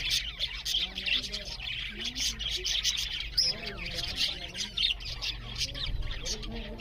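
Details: A group of budgerigars eating while chirping loudly: rapid high warbling and scratchy tweets pile over each other, with one sharper rising squeak standing out midway.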